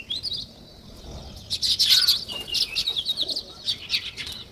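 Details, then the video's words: Sparrows, also called weaver birds, in a natural setting: a busy mass of high, thin chirps and tweets, overlapping quick notes rising in louder bursts from mid-clip onward, with many birds calling at once. "Natural Sparrow Chirping Sounds |Weaver Birds"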